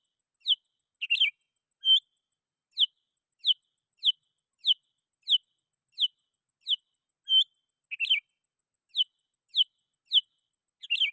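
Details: Sooty-headed bulbul song meant to call rivals and draw in wild bulbuls: a steady run of about eighteen short sharp whistles, with occasional doubled or warbled notes and a few longer flat tones, over eleven seconds.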